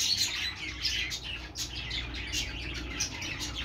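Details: Several budgerigars singing on a perch, a continuous busy warbling chatter of scratchy chirps and squeaks, with low room hum underneath.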